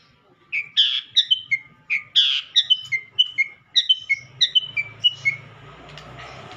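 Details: Madura long-tailed shrike on a tutor recording full of sekebon-style fill-in phrases: a run of clear, high whistled notes, each a short downslurred or hooked tone, delivered in quick groups. A low hum sits underneath.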